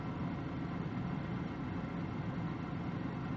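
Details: A steady low rumble like an idling engine fills the recording, and no animal call stands out.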